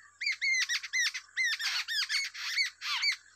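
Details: Two babbler chicks begging as a wild adult feeds them: a dense, continuous run of harsh squawking chirps, each rising then falling, packed closely for several seconds without pause.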